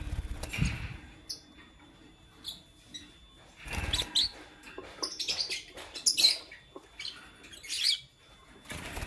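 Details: Morning chirping from lutino and blue opaline lovebirds: brief, piercing notes scattered through the recording, with a denser run of chirps in the middle stretch and low knocks and rustles in between.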